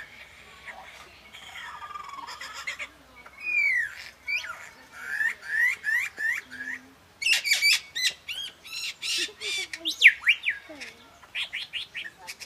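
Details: A Superb Lyrebird during its mating dance at Healesville Sanctuary, Victoria, pours out a loud, rapidly changing medley of whistles, downward sweeps, sharp clicks and rattling trills, each phrase lasting under a second.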